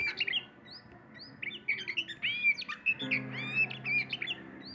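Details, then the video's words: Oriental magpie-robin from Sumatra singing varied clear whistled phrases, some rising and some falling, in quick succession over a steady low hum. "Burung Kacer Sumatera"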